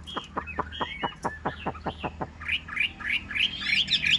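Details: A caged yellow-billed Chinese hwamei with feathers still wet from rain sings outdoors. A fast series of sharp descending notes comes first, then quick high whistled phrases that repeat.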